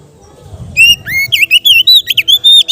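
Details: Oriental magpie-robin, kacer, singing calmly in ngeplong style for training young kept birds. After a quiet low hum, a strong series of clear whistles starts, a few sliding notes followed by rapid short bright phrases.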